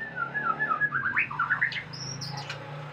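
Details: White-rumped shama during mating, delivering a fast series of bouncing, slurred whistles that climb higher, then a thin high whistle, over a steady low hum.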